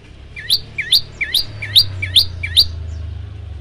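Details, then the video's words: Prenjak lumut prinia delivering six bright upslurred chirps at a steady pace of roughly two per second, each a sharp rising 'tembakan' note, over a low humming background. "prenjak lumut gacor tembakan variasi"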